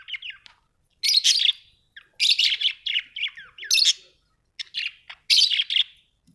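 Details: Budgerigars kept at home chatter in lively bursts of raspy, buzzy notes mixed with short sliding whistles, several phrases in quick succession.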